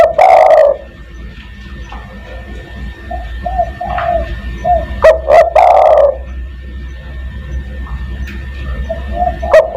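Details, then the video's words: Spotted dove, master call used to attract other doves: repeated loud, harsh two-note-plus-long-coo phrases with quieter coos between, over steady electrical hum. "burung DERKUKU tekukur master gacor kuk 1 sangat mewah untuk memanggil teman"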